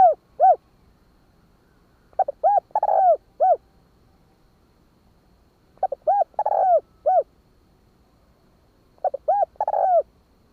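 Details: Spotted dove cooing in the Vietnamese "kích bổi" style, hạp bổi voice: groups of soft, hooted coos with arched notes, one longer burry middle note, repeated in phrases roughly every three to four seconds, quiet background.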